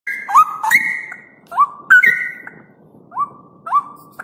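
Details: Captive straw-headed bulbul song, played as a lure and training recording for other birds: loud, liquid whistled phrases with upward-sweeping notes, each followed by a long flat whistle, given in bursts about every second against a quiet background.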